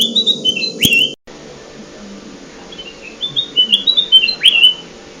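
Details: Golden bulbul, known locally as kutilang emas, heard as a trapping lure: a whistled phrase cut off by a brief dropout, then a fuller run of stepped high notes ending in a swooping upslur.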